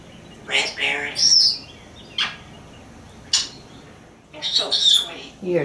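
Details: Talkative African grey parrot, a pet sitting on the porch with its owner, answering when asked what a clock says. Short chattering bursts, squeaks and a high clear whistle are mixed with the woman's speech, with gaps of quiet between outbursts.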